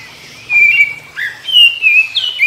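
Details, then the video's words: Oriental magpie-robin singing in the morning, answering other magpie-robins: clear whistled notes that slide and waver, sustained phrases broken by short pauses, with no other clear sounds. "Kicau KACER Pagi Hari KACER Lain Denger Langsung Ikut GACOR Nyaut Koar Koar"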